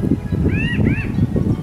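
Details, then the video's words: A pinyon jay in a desert backyard gives two quick nasal, arched calls back to back, rising then falling, nearly covered by heavy low rumbling and handling noise. "I hear that sound. That is a pinyon jay."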